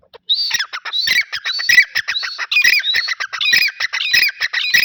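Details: A pair of grey francolins calling together: loud, harsh, squawky phrases run almost without pause, rising and twisting notes overlapping in a dense, ringing chorus for nearly five seconds, with no other clear sounds.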